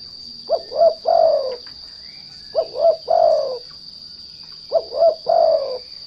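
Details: Spotted dove (derkuku) lure call, used to provoke untrained doves into singing: three low coos, two short notes then a longer drawn-out one, repeated three times about every two seconds over a steady high-pitched whine.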